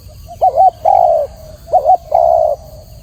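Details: Spotted dove singing clearly: a quick two-part rising coo followed by a longer drawn-out coo, the phrase given twice in three seconds against a quiet background.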